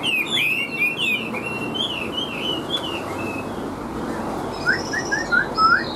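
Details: Chinese hwamei, a big caged bird with yellow legs and bill, giving high wavering whistles at the start, a quiet middle with background hiss, then short rising whistled slurs toward the end.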